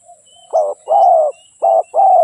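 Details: Spotted dove delivering two pairs of hollow coos, each a short note followed by a longer, steady, drawn-out one, over a quiet background with faint thin whistles.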